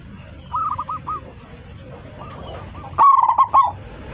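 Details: A local zebra dove with a big voice, cooing to call its flock. Soft broken coos come first, then a louder, rapid rolling coo with stuttered notes near the end, over a steady low hum.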